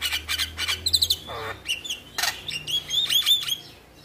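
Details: Male Javan myna (jalak kebo) in lively gacor singing, used as masteran to prompt lazy mynas to sing: harsh clicks and rasping bursts mixed with thin whistled notes near the top, in quick uneven phrases.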